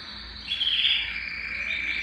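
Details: Singing Belgian canary, used to stimulate males and bring females into breeding condition, delivering a bright continuous warbling trill that starts high and eases slightly lower.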